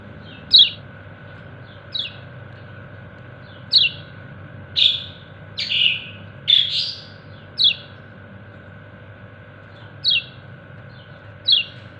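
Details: Yellow white-eye (kecial kuning) calling to its companions: sharp, high chirps sliding downward, given singly or in quick pairs about every one to two seconds, ten in all, over a steady low electrical hum.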